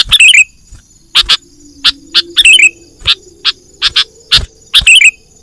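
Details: Lure call of a sooty-headed bulbul, played to draw in wild birds for trapping: short bright chips repeated irregularly, broken by twittering descending phrases, over a faint low drone and high steady tone.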